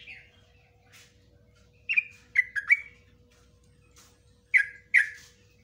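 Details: Ropelan song of a yellow-vented bulbul, including nguklik and ngecruk notes, offered as a master for training bulbuls. Sparse, sharp, slurred chirps come singly and in small pairs over a quiet, faintly humming background.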